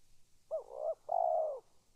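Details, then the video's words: Spotted dove calling at close range: a clear low coo phrase, a short rising-falling coo then a longer slightly rolling coo, in a quiet setting. "Suara tekukur memanggil"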